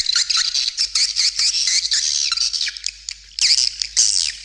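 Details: Lure recording of calling swiftlets with supporting left-right stereo sounds: shrill overlapping twitters and short descending chirps, packed tightly, with a short lull near the end.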